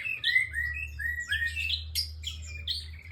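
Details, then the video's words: Bar-winged prinia in lively song: a run of clear whistled notes, several sliding upward, then quicker, higher chirps and buzzy flourishes crowding together, over a steady low hum. "BURUNG PRENJAK ENGKEL GACOR DURASI PANJANG"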